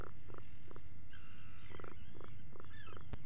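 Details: Atlantic puffins inside their burrow at breakfast, recorded at 04:58 on 28 June 2019 by a live burrow camera. Low, pulsed groaning bursts repeat irregularly, with faint higher chattering from other birds and a steady low rumble behind.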